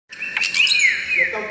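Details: White-rumped shama singing: a short phrase of clear whistled notes, sliding up then gliding gently down in a high, sweet tone, with a faint buzzy edge at the start.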